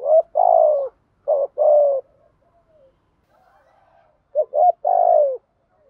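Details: Spotted dove used as a decoy to attract wild birds, repeating loud, hollow coo phrases: short pickup notes followed by a longer falling coo, three phrases with quiet murmurs between.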